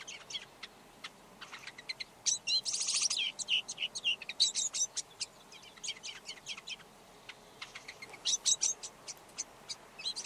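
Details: Red-backed shrike singing a rambling, varied song of rapid scratchy chatter, squeaky whistles and harsh buzzy notes, delivered in dense bursts with brief pauses, over faint background hiss.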